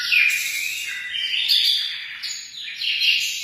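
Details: Continuous high twittering from a munia, or emprit, with scratchy chirps and brief whistled slides that rise and fall, flowing almost without pause.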